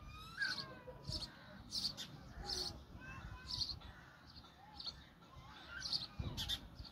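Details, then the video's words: Sparrows feeding a baby sparrow; repeated high chirps roughly every half second to second, with sharp buzzy notes and lower squeaky whistles, over background rustle and low noise. "Sparrow Birds Give Food To Baby Sparrow"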